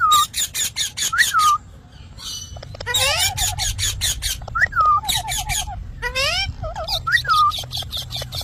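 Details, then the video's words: Parrot, known locally as mithu, giving a lively burst of harsh, buzzy squawks in rapid bursts, mixed with short clear whistled notes that rise and then hook downward, repeated several times across the recording. "parrot natural sound mithu"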